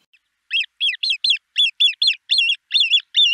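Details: Great crested grebe at Liepāja, Latvia, in 2023: a fast series of harsh, buzzy, nasal notes, about eleven in three seconds, each with a rising and falling shape, in clean silence.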